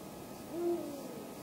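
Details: A calling male Eurasian eagle-owl at dusk in Halland's Falkenberg municipality, 2 March 2010: one short, deep hoot with a soft swell and quick fade over a quiet backdrop.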